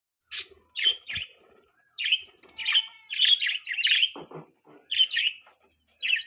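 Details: Budgerigars chirping: irregular bursts of scratchy, warbling chirps and squeaky whistles, with a few low clicks, in uneven groups separated by short pauses, sounding like more than one bird.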